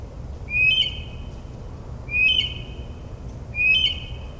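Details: Night-singing northern mockingbird in the New Jersey suburbs, imitating other species: three identical sharp whistled phrases, each a quick upward flick then a held tone, spaced about 1.5 seconds apart over soft background hum.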